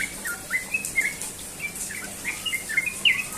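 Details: Morning ropel song of a sooty-headed bulbul: scattered, clear whistled notes with quick upward and downward slurs, delivered irregularly over a few seconds against light background noise.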